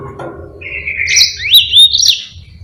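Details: Yellow-fronted canary singing a long song phrase meant for training other birds: a level buzzy trill that rises into sharp whistled upslurs, with a soft low hum beneath.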